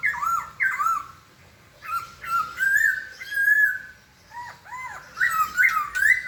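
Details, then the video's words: White-crested laughingthrush singing: clear whistled notes around mid pitch, some rising and some dipping in arched slurs, given in short bursts with brief pauses and a few harsher squawky notes mixed in. "kicau burung poksay"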